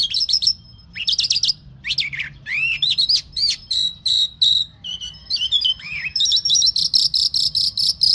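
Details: Lark singing the mashadi jal style of song, a fast, varied run of high whistled notes, sharp chirps and rising slurs, ending in a rapid series of repeated bright notes.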